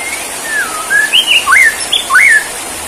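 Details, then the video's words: Bowing Borneo white-rumped shama delivers a fluid whistled phrase, a falling slur followed by rising, peaked notes and looping upswept whistles, clear over light background hiss. "Aksi Murai BORNEO gaya SUJUD"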